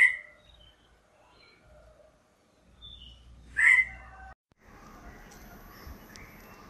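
A Black-hooded Oriole gives a brief clear note, then one loud, harsh, nasal call a few seconds later. A steady background hiss follows.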